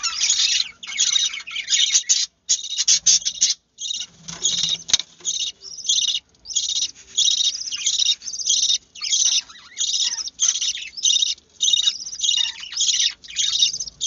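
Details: Budgerigar chicks give raspy, hissing begging calls in rapid, uneven bursts as their mother feeds them.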